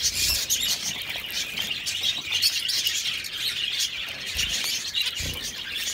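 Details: Zebra finches in an aviary chatter in a dense stream of high, nasal beeps and twittering notes.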